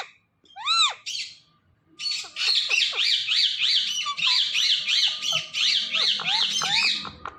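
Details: Parrot giving a fast series of loud, harsh squawks with arched, ringing tones, repeated about three times a second after a few separate opening notes, indoors with no other clear sounds.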